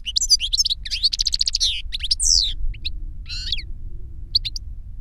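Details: Older goldfinch singing as a lesson for a younger bird: dense, rapid run of liquid twittering and buzzy trilled notes, then scattered sharp chirps and a short rasping phrase, over low background hum.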